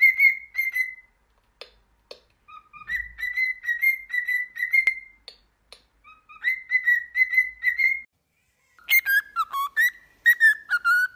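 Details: Pet cockatiel singing-training song: long runs of short, clear whistled notes at a steady pitch, broken by pauses, ending in quick descending and wavering whistles.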